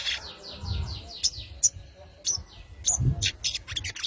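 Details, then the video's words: Sogon calling out to a rival, played as a lure to draw a reply: a quick run of descending chirped notes, then scattered sharp high chirps over low background rumble. "SOGON KONSLET MEMANGGIL LAWAN.!! PANCINGAN BURUNG SOGON BIAR NYAUT..!"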